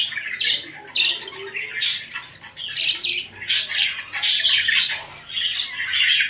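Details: Domestic budgies bicker and snuggle, trading rasping squawks and chirps in uneven bursts roughly every half second, rising and falling in loudness.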